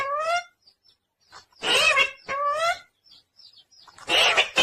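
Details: Pet parrot chirping and talking, with harmonic whistled notes rising in steps alternating with harsh, broadband speech-like phrases in short bursts, with silent gaps between them.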